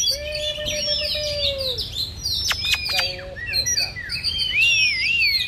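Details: An Oriental magpie-robin performs a fan-dancing display while singing competitively against a rival, giving a rich, varied run of clear whistles: a long steady low note, then quick chirps, sharp clicks and rising, warbled phrases.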